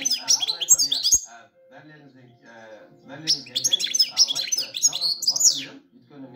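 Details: A goldfinch sings in two bursts of quick, high, jangling twitters and slurred chirps, separated by a quieter gap of about two seconds, with a soft low hum underneath.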